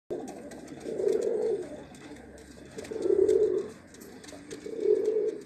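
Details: Domestic pigeons of the Shami breed: three low, hoarse cooing phrases, each about a second long, spaced roughly two seconds apart, with faint background clicks and rustling.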